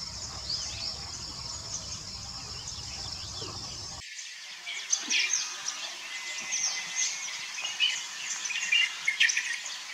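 White-browed bulbul giving quick, bright chirps and short chattering notes in the second half. Before that there is a rumble of wind or handling noise, and a steady high insect hiss throughout.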